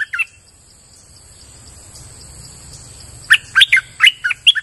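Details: Streak-eared bulbul chirping energetically in forest as a lure: a brief note at the start, then after a three-second gap a quick run of six bubbly, up-and-down chirps. A faint steady whine continues throughout.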